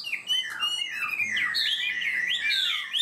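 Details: Chinese hwamei, a kept songbird, singing in the high 'cao cầu' style, quick and steady to start: loud, varied whistled phrases sliding down and up, with a rising run of bright notes near the end.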